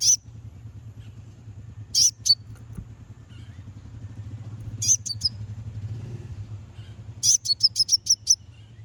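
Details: Konin lure song for provoking rival birds: bursts of piercing high chips, first in pairs spaced a few seconds apart, then a rapid run of six sharp notes at the end, over a low hum.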